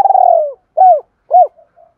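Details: Spotted dove cooing, played as a lure to stir up and train decoy birds; a long, slightly falling hoarse note followed by two short rounded, arched coos, each about a quarter second, with a faint soft note trailing after.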